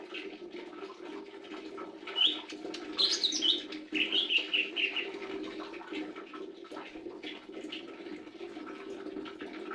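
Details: Lesser green leafbird singing: a burst of bright, high warbled and whistled phrases between two and five seconds, trailing into softer chirps, over a steady low hum throughout.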